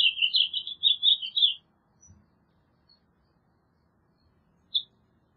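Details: Warbled house finch phrase of rapid, rolling chirps lasting under two seconds. Near-silence and one faint tap follow, then a single short high note near the end.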